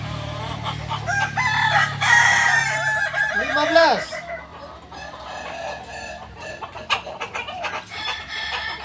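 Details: Kukuak Balenggek rooster at a Sunday crowing practice contest in Ampangkualo, delivering one extended crow of stepped, trembling notes that ends in a down-curving arch, then clapping and people talking.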